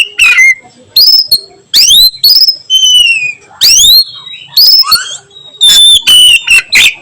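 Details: Afternoon oriental magpie-robin song, the nyiul style: loud, clear whistled notes, many sliding down or sweeping up, in separate bursts with short pauses, some notes sharp and high, others held and descending.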